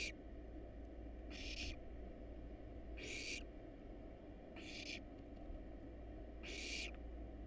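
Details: Five rough, breathy screeches from hungry barn owl nestlings in a wild monitored nest box while a rat and rabbit are eaten, spaced about every one and a half seconds over low background hum.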